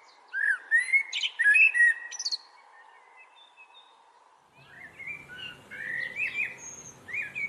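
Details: Asian blackbird singing: a burst of mellow warbled notes with squeaky high twitters, a quiet pause, then more rich fluty phrases over a faint low hum.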